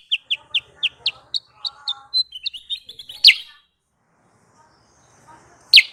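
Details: Sooty-headed bulbul call played as a lure for trapping: steady run of crisp, high chirps slowing into thinner notes, then two loud separate chips after a silent gap.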